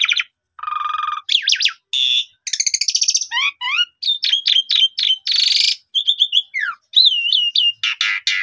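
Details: Asian pied starling in busy song, a lure recording for stimulating other starlings: rasping buzzy notes alternate with quick paired whistles, descending slurs and a string of rapid hooked chirps, all clean and close.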